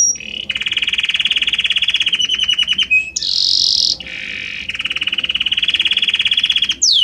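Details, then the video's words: Belgian canary singing long rolling trills, a harmonious voice shifting gradually from one note to another, with a brief harsher high buzz between the trills and a rising slide at the end. "Magnífico Como canta este Canário Belga!"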